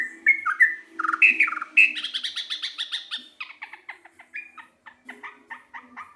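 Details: Sooty-headed bulbul, a local bird, singing in a lively way: whistled notes, then a rapid chattering rattle, then repeated short two-part chirps that get softer toward the end.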